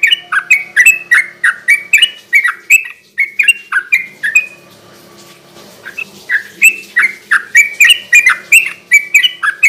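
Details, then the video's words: Yellow-vented bulbul (trucukan) in 'gacor garuda ropel' style, played as a night lure: quick chains of bright, slurred chirping notes broken by a short quiet pause, then resuming at equal pace. "kicau suara burung trucukan gacor garuda ropel ini cocok buat pancingan trucuk bahan di malam hari"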